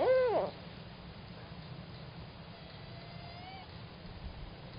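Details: A young owlet calls for its mother on March 16, 2019 at 7:49 PM: a loud, arched, harmonic cry lasting half a second, then a faint rising whistle-like note about three seconds later over low hum.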